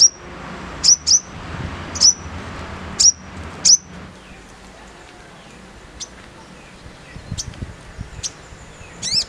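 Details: Spiderhunter giving a rough, fast-firing song: sharp high chips with a quick downward sweep, spaced about a second apart in the first four seconds, then fainter scattered chips and a soft background hiss.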